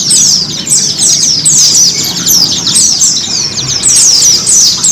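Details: Kept white-eye training sound: loud, very high chirping trills, rapid and tumbling, delivered in near-continuous bursts with a quiet low background.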